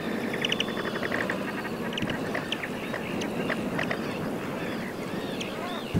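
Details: Pied avocet, juvenile, at the edge of the Suscinio marsh in Morbihan, France, in summer on 23 June 2022: a dense run of short, ringing, harmonic notes repeated in quick overlapping bursts over a steady rushing background.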